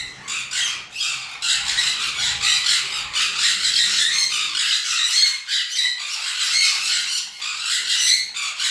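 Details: Sun conure pairs with DNA sexing, caged, screeching continuously with shrill, grating squawks repeated rapidly for the whole stretch, loud and piercing, several birds calling over one another.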